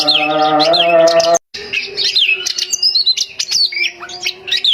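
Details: Home-kept female Oriental magpie-robin singing to lure males: a rich run of whistled, sweeping notes and quick trills that starts after a brief gap, preceded by a steady low harmonic tone.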